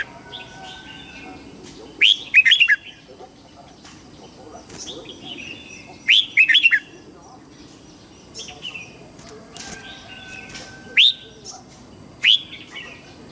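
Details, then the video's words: Morning song of a red-whiskered bulbul, short bright whistled bursts of three or four notes at irregular intervals, with single clipped whistles in between and fainter calls from other birds in the background. "Luyện giọng chào mào hót sáng hay nhất để luyện má trắng"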